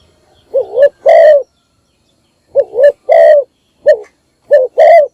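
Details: Decoy spotted dove, a bird kept to lure wild doves, calling in the morning: three bursts of loud cooing, each a short wavering coo followed by a longer, fuller coo, separated by silent pauses.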